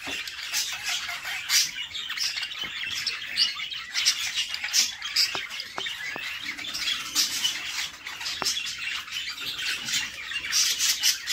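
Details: Inside a budgerigar nest box, the mother feeds her chicks; raspy, high-pitched squeaking chatter runs throughout, with a few sharp clicks and periodic louder surges.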